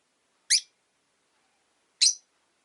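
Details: Two short, shrill chirps about one and a half seconds apart, from rosy-faced lovebirds, five caged birds kept by a window during winter, against near silence.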